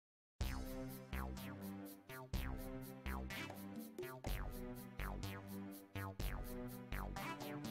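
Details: Electronic music with sharp percussive hits about every second over low bass notes, with no animal voices.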